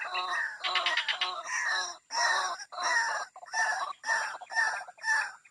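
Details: Lure call of a white-breasted waterhen, meant to draw birds from cover: loud rasping bursts, with a rapid stuttering opening followed by evenly spaced croaks roughly every half second to second.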